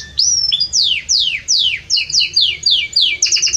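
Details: Belgian canary singing strongly and warmly: a series of loud, high notes, each sweeping steeply downward, repeated roughly every quarter second, then a quick burst of short sharp notes.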